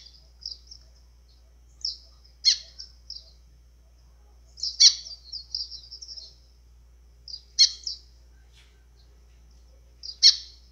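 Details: Azulão-style song of a White-throated seedeater (golinha), played to rouse birds: brief high twittered phrases, each led by a sharp snapping accent, recurring about every two to three seconds against silence.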